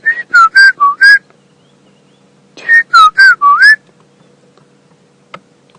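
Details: A White-browed Scrub Robin sings in the dawn chorus at sunrise on a cold morning, 20 July 2016, on a safari drive in an African game reserve: two short phrases of about five clear, slurred whistles each, 1.5 seconds apart.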